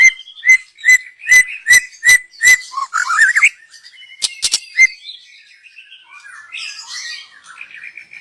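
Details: White-rumped shama, a young wild forest bird, used as a lure: a steady series of about seven loud whistled chips, then a rapid warble and softer trilling fading out.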